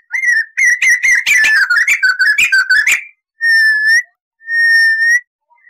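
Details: Crested laughingthrush, tutor recording for training cage birds: a quick jumble of varied whistles and sharp chattering notes for three seconds, followed by two long, steady, pure whistles.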